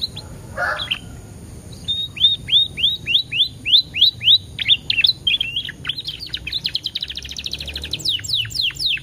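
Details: Canary song used as a lure recording to prompt other canaries to sing, with pauses between phrases: a brief low rasp, then a run of clear downslurred whistles repeated about four a second, shifting into rapid buzzy trills.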